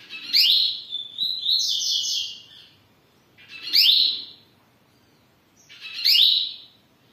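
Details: Home-kept double-collared seedeater gives loud, sharp upward-sweeping notes about every two to three seconds, the first followed by a brief warbled, buzzy flourish.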